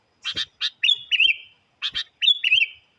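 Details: Sooty-headed bulbul lure song said to challenge wild birds: paired chirps followed by a level whistle that dips into a wavering slur, the phrase given twice within a few seconds.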